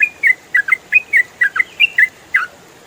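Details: Trucukan, the yellow-vented bulbul, in rapid ropel song used to train songbirds: bright whistled notes swinging up and down, delivered in quick pairs and singles over three seconds.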